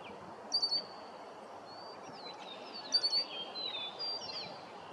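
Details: Red-winged blackbird calling: two loud, sharp, high notes with bright overtones, about two and a half seconds apart, over slurred whistles of an Eastern Meadowlark in the background and steady outdoor hiss.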